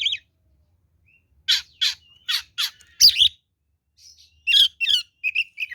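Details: Fighting song of an oriental magpie-robin, used to provoke rivals: spaced, sharply falling whistled strokes, then a rapid cluster of buzzy notes and short rising whistles toward the end.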